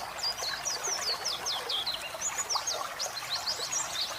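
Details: White-eye training recording with running water added to calm birds: sharp, high, downward-slurred chirps repeated in a lively series over a steady water sound.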